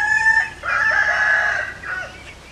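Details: Rooster crow with a drawn-out, slightly rising and falling harmonic middle that is held for about a second before it fades.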